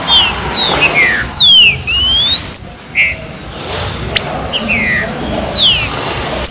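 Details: Warm-up song of a green-winged saltator, chuva serrinha style: bright, fast downward whistles, one paired with a rising sweep, some brief harsh notes, and a continuous hiss and low rumble behind.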